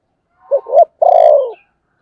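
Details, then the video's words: Single calling phrase from a spotted dove: soft rising double note, a brief gap, then a long, full, gently descending coo. "Sấm thổ gáy gọi và thúc"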